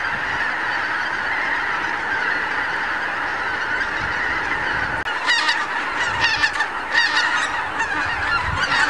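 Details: Morning assembly of thousands of wild geese on Lower Rhine meadows and fields, captured with a Canon HV20 camcorder; a constant honking chorus, then after a sudden break sharper, louder nearby honks stand out over the crowd.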